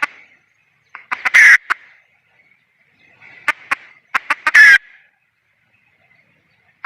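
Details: Calling wild junglefowl hen: two bouts, each a string of staccato clucks climbing into a loud, coarse squawk, with quiet gaps between the bouts.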